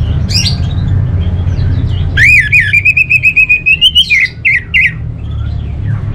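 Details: Scattered whistles from a kept orange-headed thrush lead into a long, buzzy, pulsing phrase that rises slowly over about two seconds, followed by a few quick slurred notes. A low hum is heard throughout.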